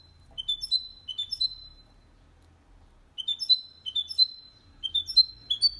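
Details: Goldfinch and canary hybrid with a clean song, used to encourage males to sing and young birds to learn. Repeated short phrases of sliding high whistles, three groups separated by pauses.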